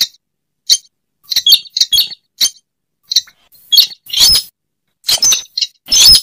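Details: Slaty-breasted rail calling as a lure sound: sparse sharp high chips and squeaks, a few clustered in rapid pairs, separated by brief silences, with louder noisy bursts toward the end.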